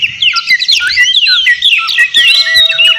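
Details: White-rumped shama singing hard to provoke a rival, a dense, noisy stream of warbled whistles, slurred rising and falling notes and rattling bursts, with a steady held tone appearing late.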